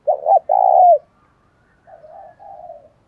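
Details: Spotted dove used as a decoy, calling to draw in wild doves: one loud phrase of two quick hoots and a drawn-out coo, then two soft, low, level murmuring notes.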